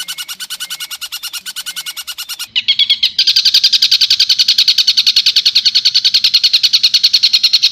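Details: A long-tailed shrike pours out fast, harsh chattering notes, about three or four a second, growing louder and buzzier partway through, in a long, rough-toned song with mimicked calls of other birds.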